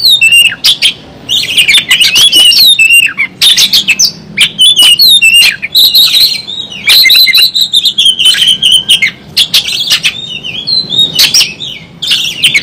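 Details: Oriental magpie-robin singing vigorously in a fighting state with its tail spread, with long runs of rapid whistles and harsh chattering notes broken by short pauses.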